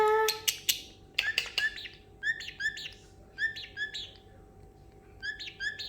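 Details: Pet parrotlet indoors, excited after treats and almonds, imitating sounds: sharp loud chirps open, then bright short rising chirps in quick clusters, repeating about every second over a steady low room hum.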